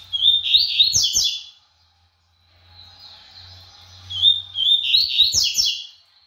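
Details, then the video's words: Double-collared seedeater, brown plumage, singing fast and vigorously: loud, rapid tumbling phrases of high chirps, then a brief lull with a faint high trill, and a second energetic burst of notes. "COLEIRO PARDO GUMP MOSTRANDO SUA VELOCIDADE"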